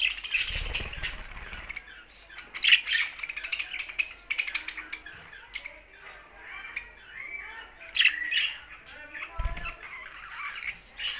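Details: Budgies singing: ongoing high chattering warble with sharp squeaks and chirps, interrupted by a couple of low thuds.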